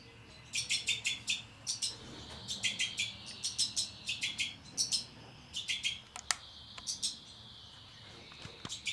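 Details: Kept breeding pair of two-barred crossbills with fledglings, 2012: high chirping notes delivered in quick runs roughly every second, later thinning to scattered single chirps and clicks.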